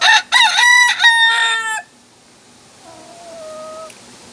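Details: North Holland Blue rooster crowing: a loud, harsh, stepped crow lasting under two seconds, then a fainter, more distant drawn-out crow about a second later, with low background rumble.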